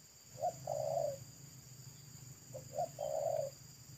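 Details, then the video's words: Local wild spotted dove at a roadside, pesom style: two moderate coo phrases, each a short note then a longer wavering coo, about two seconds apart, over a low rumbling hum. "TEKUKUR LOKAL RASA PESOM GAGAL JERGOT ‼️R3S1KO MELAMAN DIPINGGIR JALAN"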